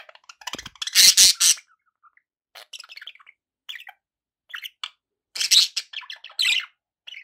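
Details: Pet budgerigars chattering with loud, harsh rasping bursts and scattered quick chirps and clicks, pausing briefly between phrases, indoors.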